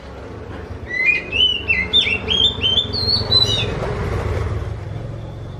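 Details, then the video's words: Oriental magpie-robin song likened to a kitten's meow: a quick run of high, slurred, bending whistles, about a dozen notes over three seconds, over steady low traffic-like rumble. "Viral burung kacer ini suaranya mirip seperti anak kucing"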